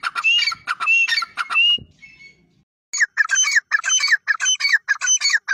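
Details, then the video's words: Grey francolin call: harsh, grating notes in rapid pulses, a short pause with a fading whistle, then another fast series of loud squawky notes repeated in even rhythm. "Grey Francolin Sound || Irani Teetar ki Awaz ||Best Desi Teetar ki Awaaz||Jungli Teetar ki Awaz"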